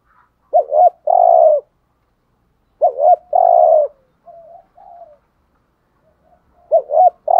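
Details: Urging thúc gù cooing of a decoy spotted dove used to lure wild doves: two phrases of a short double-hooked note and a long hollow coo, quiet soft notes, then a third hooked note.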